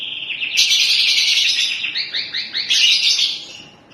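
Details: A canary pours out a continuous high song, a dense buzzy trill followed by a run of quick descending slurred notes and a brighter rolling phrase, fading at the close.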